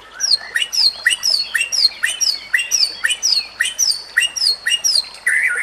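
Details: Training song of a white-rumped shama meant for other shamas: a steady repeated phrase of high falling whistles paired with lower clipped notes, about two per second, closing on a warbled trill.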